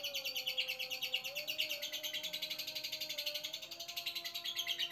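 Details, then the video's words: Long ngekek from a caged lovebird reacting to a new male in a neighbouring cage, an unbroken fast rattling chatter of high buzzy notes about three per second, with a steady low tone underneath throughout. "Love Bird Lover: Ngekek Panjang Ketemu Pejantan Baru"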